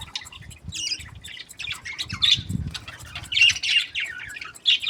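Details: Several budgerigars kept as breeding pairs chatter happily, giving rapid squeaky chirps and rasping warbles in uneven bursts, some notes loud and piercing, over a faint low hum.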